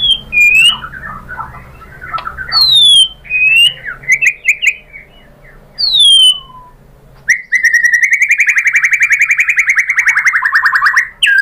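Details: White-rumped shama (murai batu) lure song to draw other shamas into song: clear downslurred whistles and warbling notes, then a sustained rapid buzzy trill lasting about four seconds.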